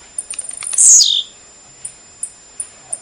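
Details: Blue-black grassquit song for training a kept bird: several rapid high ticks lead into a single strong, rasping buzz that falls quickly in pitch, then a few isolated high clicks at regular intervals.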